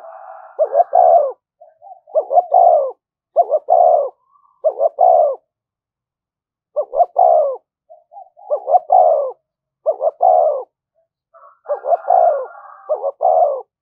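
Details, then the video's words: Spotted dove giving 'thúc gù' cooing, a style used as a lure to draw wild doves. Repeated phrases, each two short low hoots followed by a longer descending coo, with pauses between phrases over about fourteen seconds. No other sounds. "tiếng cu gáy/ cu gáy thúc gù bài bản dùng kích bổi hiệu quả"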